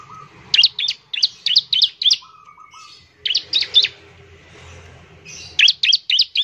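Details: Semi-wild bar-winged prinia singing keenly to draw song from other prinias: rapid bursts of four to five bright, sharp, high chirps separated by short pauses, with faint lower piping notes from another bird between bursts.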